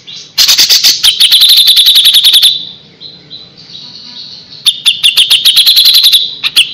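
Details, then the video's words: A Grey-cheeked Bulbul, used as tutor audio for training captive birds, gives two bursts of rapid, bright chattering notes, high and fast, about two seconds each, with a brief quiet gap between them. "suara burung cucak jenggot"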